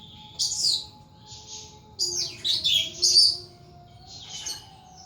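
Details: Caged thrush owned by a hobbyist, singing in separate bursts: a rich warbled phrase, a soft trill, then three loud tumbling whistled phrases and a last quieter one.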